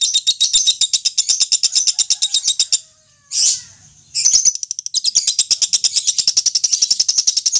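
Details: Contest-training lovebird chatter: long rapid bursts of high, shrill chirps, broken once by a short pause and a single squeaky note, then resuming at full speed.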